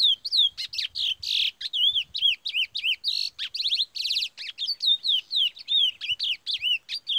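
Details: Captive male chestnut-bellied seed finch, a black-plumaged bird in song training: a long, rich run of high slurred whistles, rising and falling, broken by quick buzzy trills. No other sounds.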